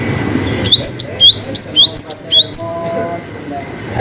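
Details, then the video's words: Cinereous tit in lively full song, a long 'wucit panjang' variation: a rapid series of about ten sharp, high whistled notes over two seconds, each a quick slurred chip, with low background rumble before and after. "GELATIK BATU GACOR WUCIT PANJANG ngalas Variasi"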